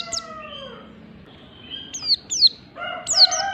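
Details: Mountain white-eye in ngalas standar style: a few high, bright, falling notes mixed with lower, drawn-out, layered whistles that drift downward.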